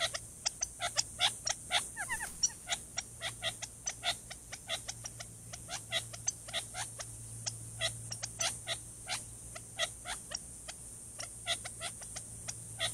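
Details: Trail camera at an Arizona watering hole near Tucson: a male Gambel's quail, unseen in chaparral, warns of a Cooper's hawk. Long run of sharp clipped notes, roughly three each second, with occasional short slurred rising calls.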